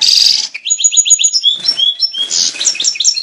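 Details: European goldfinch mating call, said to lead males toward breeding and better singing and bring females into breeding condition; bright twittering, tinkling notes and buzzy bursts high in pitch, delivered in quick, lively runs with brief gaps.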